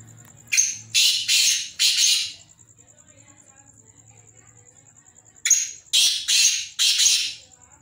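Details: Black francolins, kept birds, calling: two harsh, grating phrases about five seconds apart, each a short sharp note followed by three longer rasping notes, over a steady thin high whine and faint low hum.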